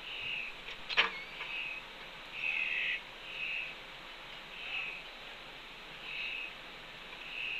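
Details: Young red-tailed hawk, recently fledged, sitting with its mother by the nest ledge at Cornell, afternoon of 2 June 2013, nest camera: a run of short, harsh, high-pitched calls repeated roughly every second, plus a sharp knock early on.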